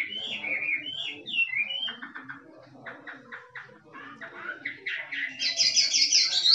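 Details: Chinese hwamei from the forest singing 'kích trống': a few whistled slurs lead into a series of short clipped notes. The passage ends in a loud, high, buzzy chatter.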